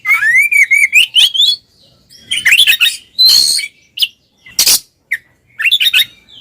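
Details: Two Oriental magpie-robins singing ngeplong to get silent birds singing: a rising rippling trill opens, followed by scratchy chatter, a harsh blast and scattered quick whistled notes.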